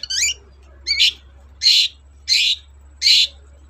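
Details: Long-tailed shrike sound used to provoke shrikes that are reluctant to sing: a rising, whistled opening note, then four loud, harsh, rasping notes repeated roughly every 0.7 seconds.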